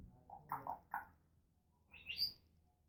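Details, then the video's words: Pet African grey parrot making noises: a few low, muffled chirping notes close together, then after a pause a bright whistle sweeping sharply upward. "African Grey Talking and Making Noises"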